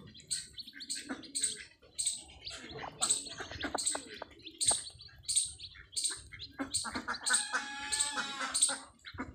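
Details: Free-range Desi hen and her newly hatched chicks: rapid high chirps recur through the recording, mixed with lower murmurs, and near the end a drawn-out raspy harmonic hen call rises above them.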